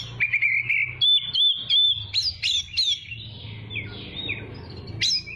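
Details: Oriental magpie-robin, training song for young birds: a buzzy trill, then a long level wavering whistle, several sharp falling notes, softer slurred phrases and a final sharp rising note.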